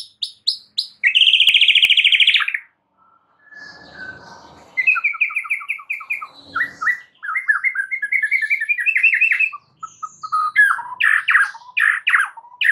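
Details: White-rumped shama song, played to prompt a silent bird to sing: varied rich phrases of loud buzzy trills, repeated slurred whistles stepping upward, harsh rasping notes and a sharp chattering finish.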